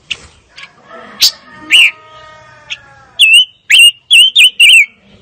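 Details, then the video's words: Fire-tailed myzornis singing: after a few scattered chirps over a faint background hum, a run of five loud, clear whistled notes, each sliding up then down, comes in quick succession. "Kicau Burung Pancawarna Paling Dicari - Tiếng chim ngũ sắc"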